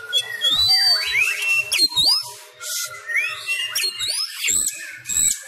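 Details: Oriental magpie-robin of the Sumatran kacer form practising the fighting-style song indoors while bird contests are suspended for Covid-19; quick looping whistles and upslurred notes mixed with harsh clicks, delivered in a busy, uneven rhythm.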